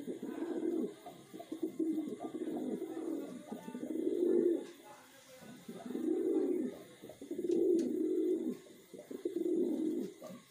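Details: Kept wild pigeon cooing in long, deep, swelling phrases roughly every two seconds, each a rounded, throaty hum. Faint background clicks are also heard.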